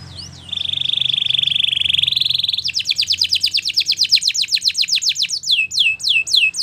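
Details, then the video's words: Belgian canary singing for training: a few rising notes, then a long fast buzzy trill held steady, then a run of quick downward-sweeping whistled notes repeated about four per second, ending in sharper hooked notes. "Belgian Canaries Sing With Melodies That Are Pleasant To Listen To!!"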